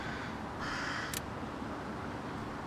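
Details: Hooded crow in Finland in summer, perched in a tree beside a path, gives a single harsh, hoarse caw of about half a second, then a sharp click, over a low outdoor rumble; later argues with another crow.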